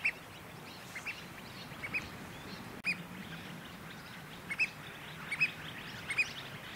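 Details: Pied oystercatcher nest at Port Hacking, New South Wales, on day five, with parents tending a chick near mangroves; scattered short, shrill piping notes, some doubled, come at uneven intervals over soft background noise and a brief thump.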